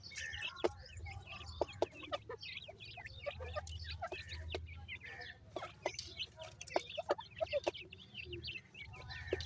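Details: Constant high-pitched peeping from a pair of dakhni teetar francolin chicks, dense overlapping chirps interspersed with sharp tapping clicks and a low background hum.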